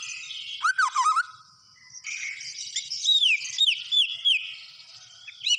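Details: Murai batu (white-rumped shama) gacor: a low rippling warble, a brief lull, then a soft buzzy run with bright whistled notes repeated several times.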